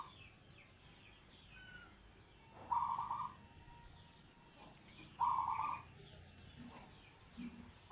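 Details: Zebra dove (perkutut) singing in the "manggung" perched style; two short trilled cooing bursts about 2.5 seconds apart, a third starting at the end, over faint chirps and steady hiss.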